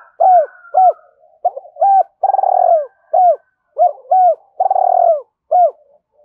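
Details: Spotted dove giving rapid Hải Hậu-style cooing to provoke a rival: a busy run of arched notes broken by two long pulsing coos that fall in pitch, phrases following closely one after another.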